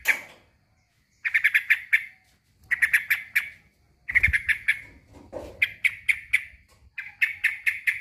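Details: Harsh, rapid chattering bursts from a male sooty-headed bulbul calling a rival, five clusters of fast notes separated by short gaps, with one low thud.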